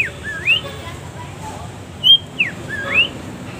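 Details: Long-tailed shrike song for training caged birds: sharp whistled notes, some sweeping upward, given in an irregular series with pauses over faint background hiss.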